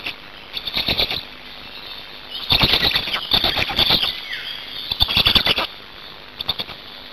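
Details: At a Hungarian Black stork nest on 8 May 2019, as the adults change over and feed: short bursts of rapid, pulsed, scratchy squealing around the first, third and fifth seconds, separated by quieter gaps.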